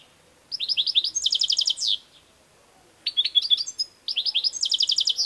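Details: European goldfinch, kept bird, in song: three bursts of rapid liquid twittering, each opening with rising chirps and breaking into dense buzzy trilled rattles, separated by short pauses.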